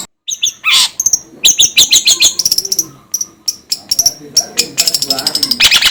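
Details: Long-tailed shrike sound meant to get shrikes going: harsh scratchy bursts mixed with rapid high chips and short whistled notes, tumbling in a dense, irregular stream of about three notes a second.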